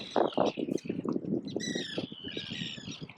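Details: Gull parents near their swimming, not yet flying chicks in the wild, heard from 15-20 metres across water; loud low knocking bursts open, then drawn-out harsh squawks with stacked bands follow.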